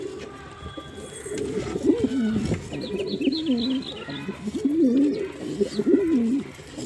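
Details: Male pigeon giving a series of soft, wavering coos that grow clearer toward the end, with a brief patter of high twittering from other birds in the middle.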